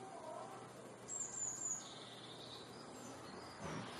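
A Eurasian blue tit sings a thin, very high note followed by a lower, rapid trill, over a soft hiss of background noise.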